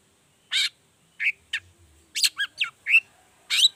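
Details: Long-tailed shrike in the lively 'toet toet' variation, used as a lure to get other shrikes singing: spaced harsh, rasping chattering notes, some clustered in quick groups of two or three, with a faint low hum beneath.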